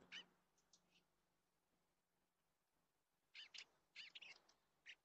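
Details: Eastern bluebird at the nest, picked up by a nest camera: brief high chirps near the start, then a cluster of short sharp notes after a quiet gap, with a faint low hum underneath.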